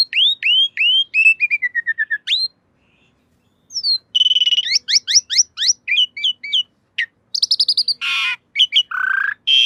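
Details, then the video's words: Black-winged myna master recording for cage birds: repeated rising-then-falling whistles and a descending series, a short gap, then varied rapid chirps, a harsh burst and a low whistle. "Masteran Jalak Suren Anti Stress. Burung Pasti Nyaut"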